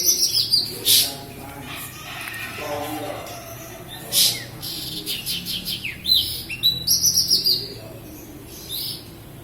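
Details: Active song of a Javan bush lark from Kediri, Java: sharp high notes and dry bursts, then a rhythmic string of rapid clicking notes and scratchy whistled phrases repeated several times.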